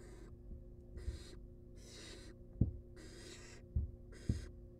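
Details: Barn owl nestlings begging while fed inside a wild nest box: five rasping hiss bursts at irregular intervals, mixed with sharp knocking and scratching thuds and a constant low hum.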